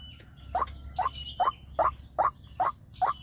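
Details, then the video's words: White-breasted waterhen call used as a lure for wild birds, played through a speaker: seven evenly spaced, short, upward-sweeping notes about every 0.4 seconds, with a low background hum and faint distant bird chirps. "tiếng chim quốc mồi dung để kep loa chim quốc rừng nghe là đá"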